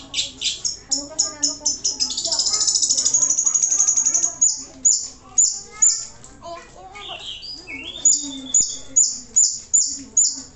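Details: Caged Long-tailed Shrike (pentet) repeating sharp, high clipped chirps about twice a second, interrupted by a buzzy chatter and a falling whistle; faint voices behind.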